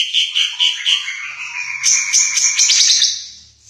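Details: Ara Mata Merah, a rare East Nusa Tenggara endemic bird, sings a short series of repeated clear whistled notes, then shifts into a jumbled, high-pitched twittering warble.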